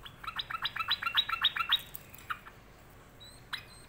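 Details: Sooty-headed bulbul said to be sulking: a quick run of about nine harsh, chattering notes, roughly four each second, then a pause and a few softer notes near the end.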